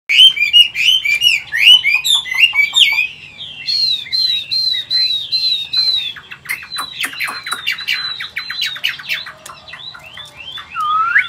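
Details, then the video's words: Caged Chinese hwamei, an old wild-caught bird, singing in a 'forest voice' style: rich, varied whistled phrases with rapid slurred notes, trills and repeated sweeping whistles, loud and continuous throughout. "Chim già rừng, Cao cầu - Bộ to mẫu chim rất đẹp- Giọng rừng"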